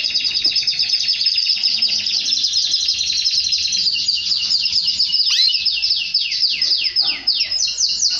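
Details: Canary singing as part of mating with its female: a long rapid trill of evenly repeated notes, then a swooping note and a run of slower descending sweeps.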